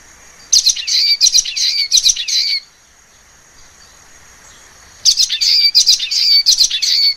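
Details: Common waxbill singing: two bursts of rapid, buzzy, high-pitched chattering notes, each about two seconds long, separated by a quiet pause of roughly two and a half seconds.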